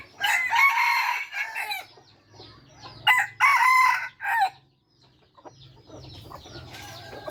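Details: Third-generation (F3) bred red junglefowl crowing twice, each a loud, harsh, stepped crow of about one and a half seconds, separated by quieter gaps. Soft small-bird chirps and a low hum run underneath.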